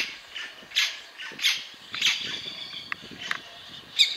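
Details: Scarlet-throated tanager (Compsothraupis loricata) in Curvelo, Minas Gerais, Brazil, giving five loud, harsh, squawking calls at irregular intervals of about half a second to a second, with fainter chatter behind.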